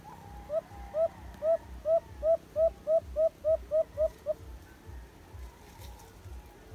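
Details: White-eared brown dove (alimokon) near a cage trap: some ten hollow, upturned coos in a quick even series that stops abruptly, leaving low repetitive thumping and quiet background.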